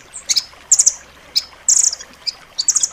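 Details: A nuthatch gives sharp, very high chirps in quick clusters of two to five notes, with short pauses between bursts, over a quiet background hiss. The recording is used as master song to train pet songbirds.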